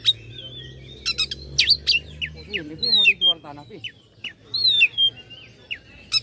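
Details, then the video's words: Oriental magpie-robin song meant to provoke rivals: clear whistled notes and fast chirps in short bursts, plus a low-pitched chattering phrase near the middle over a steady low hum. "pancingan kacer agar respo gacor.. kacer ini mampu meningkatkan emosi lawan"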